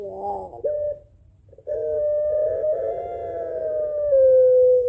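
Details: Barbary dove, known locally as puter pelung, calling back and forth with a rival. A short stuttering note, a brief pause, then one long drawn-out smooth coo that holds steady and dips slightly at the end.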